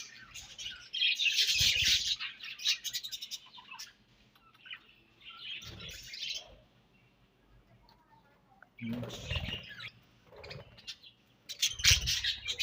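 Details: Budgies feeding on their favourite food, giving loud bursts of buzzy, high chirping chatter separated by quiet gaps, with low crunching sounds of eating beneath each burst.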